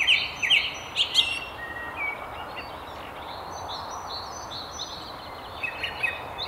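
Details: A song thrush perched at the top of a tree along the River Tyne near Haddington sings loud, high, sharp phrases, each quickly repeated two or three times, then falls quieter; fainter birds call behind a steady hiss.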